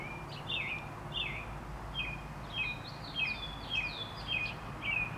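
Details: American Robins singing on April 28, 2019: clear whistled caroling phrases of slurred, falling notes, given in quick succession about twice a second over a steady low rumble.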